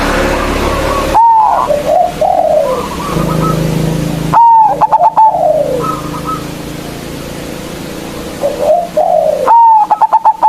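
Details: Actively singing local zebra dove, loud and used as a lure to call rivals. It gives three cooing phrases, each with bright staccato clicks flowing into falling, slurred coos. A low steady hum persists throughout.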